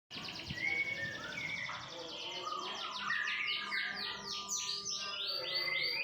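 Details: Canary singing a dense, continuous song of rapid trills and downward-sweeping notes, high and bright, running without pause through the whole stretch over a faint low background hum.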